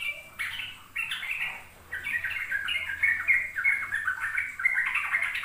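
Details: Ropel song of a sooty-headed bulbul, played so young birds will copy it: a few short warbles, a brief pause, then a long unbroken stream of fast, chattering notes.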